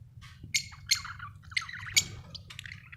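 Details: Budgie giving sharp, clicky chirps about once a second, each a bright harsh note, mixed with softer chattering warble and a low background hum.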